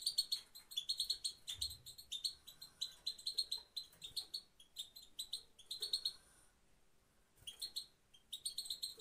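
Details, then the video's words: European goldfinch from Afghanistan, female 'pat pat' sound used to motivate and excite males: bursts of bright, rapid tinkling chirps in quick runs, broken by short pauses, with a faint low thump early on. "motivation for male پت پت مادی برای مست"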